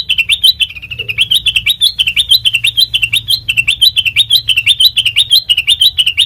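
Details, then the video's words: Sooty-headed bulbul song used as a lure for training birds: a fast, continuous stream of bright, chirpy notes bouncing up and down, about two per second, steady throughout against a quiet background. "Suara Burung Kutilang Mas Sanget Merdu,COCOK BUAT PANCINGAN MASTERAN"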